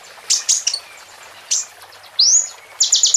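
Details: Plain prinia with bar-winged prinia phrases in its song gives scattered high chirps, one rising whistled sweep, then the start of a quick buzzy trill.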